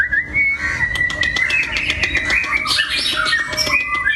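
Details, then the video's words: Long-tailed white-rumped shama giving a sustained whistled phrase that slides and wavers, followed by high chattering and twittering notes over a low background hum. "Murai Batu ekor panjang"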